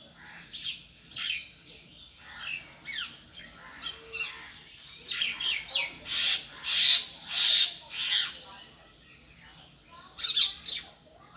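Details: From its spot alone on a tree, a bird repeats harsh, high, squawky chirps in uneven bursts, quickening into a loud run of rasping notes before a brief final flurry.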